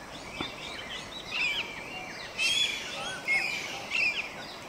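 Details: At Sattal in the Himalaya, a Common green magpie gives bursts of harsh, squeaky, high chattering notes roughly every second, with other faint bird chirps and a steady background hiss.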